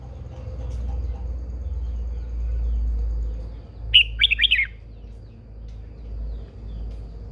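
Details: Old wild-caught female red-whiskered bulbul, a cage bird used to stir males into singing, gives one quick run of five sharp, slurred whistled notes midway, against a steady low rumble.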